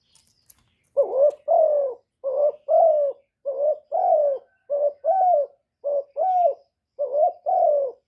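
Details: Spotted dove used as a lure, cooing to excite other doves, recorded without noise: rapid run of paired low coos, short then long, about seven phrases in quick succession.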